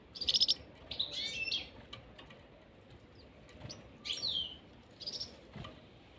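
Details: A pair of caged European serins gives short, very high, jingling bursts of rapid twittering notes, separated by brief pauses, over a faint background hiss.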